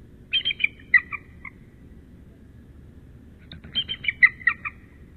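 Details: Bald eagles calling to each other at midnight, 10 March, the male incubating on the nest: two bouts of shrill staccato chittering, short piping notes stepping downward in quick succession, separated by a two-second pause.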